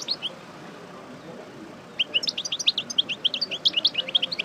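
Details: Parva European goldfinch used for pairing, fresh from its moult and running through its song: after a quiet start, a fast, dense stream of high, tinkling, twittered notes and chirps continues to the end.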